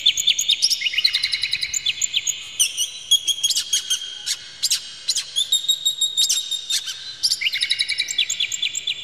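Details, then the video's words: Oriental magpie-robin, agitated and spreading its tail, singing a full lure song with rough material to provoke other magpie-robins: dense high whistles, rapid chattering trills and sharp repeated notes in quick bursts throughout, no other sounds. "dijamin kacer langsung ngamuk2 dengar kacer ini bongkar emosi buka ekor ngobra full isian"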